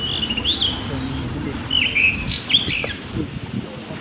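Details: Blue rock thrush (Monticola solitarius): clear whistled phrases, a rising-falling note near the start, a slurred whistle around two seconds, then quick bright notes; a low steady rumble underneath.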